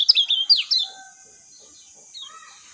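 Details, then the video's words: Lemon-bellied white-eye giving a clear, natural-sounding song: a quick burst of high, sharply rising and falling warbled notes lasting under a second, then fading into a faint high hiss with a few soft twitters. "SUARA JERNIH ALAMI BIKIN KECIAL KUNING CEPAT RESPON"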